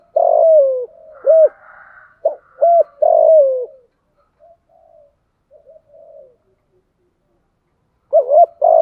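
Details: Spotted dove used as a decoy to lure wild doves in the rainy, windy season, with a voice of the 'thổ sấm' style: deep, mellow coos in a rapid phrase of about five notes, some falling, then quiet soft murmurs, and a new burst at the end.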